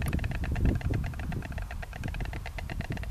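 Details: White stork pair in their nest on the church of Saint-Martin-des-Champs, Oltingue, France, in March 2015, dancing and clattering their bills: a rapid, wooden rattle of dry clicks running steadily over a low rumble of wind or distant traffic.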